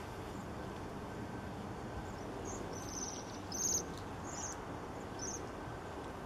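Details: Waxwings in Banbury, Oxfordshire, England, on 3 January 2017 in winter give high, thin, silvery trills, four or five brief bursts over a few seconds, above a steady rumble of traffic.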